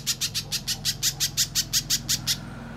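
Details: Little spiderhunter in energetic gacor song, used as training material for contest birds and as a lure to make other spiderhunters call; thirteen harsh, buzzy, high chips repeated evenly about five per second for over two seconds, faint low hum beneath.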